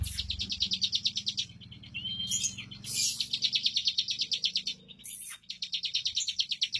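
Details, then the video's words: Bar-winged prinia, kept as a competition bird, singing fast, dense high bursts of rapid repeated chirps and trills, broken by short pauses and a few sharp upslurred whistles, with a low background hum. "Suara Burung CIBLEK Bocor Tipikal Ngunci lagu Speed Rapat !!!"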